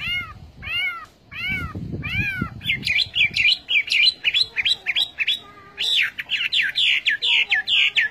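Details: Three spaced, arched notes from a Chinese hwamei, then a rapid burst of high, varied, sharp whistles and chips running to the end, over a low background rumble.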